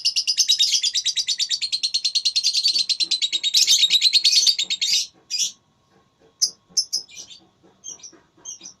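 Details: Lovebird in a singing contest, producing a long rapid shrill chattering trill, followed by scattered high chirps and soft clicks.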